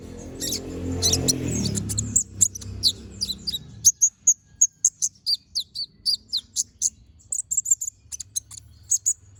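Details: Konin, or brown-throated sunbird, singing a sharp-shot ngobra song: a steady run of high, clipped chips about three per second, overlapping low rumbling noise during the first few seconds, then a clean background.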